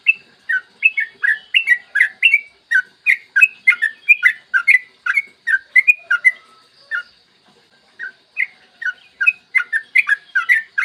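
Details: Yellow-vented bulbul (trucukan), a lively long-rolling song used as a lure to set other bulbuls singing, recorded in the morning: rapid bubbly whistled notes between mid and high pitch, repeated in dense runs with a brief pause near seven seconds.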